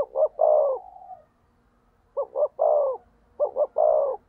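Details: Decoy spotted dove calling to stir up rival doves: three low phrases, each a pair of clipped coos followed by a longer slurred coo, the first trailing off softly, with a pause in between.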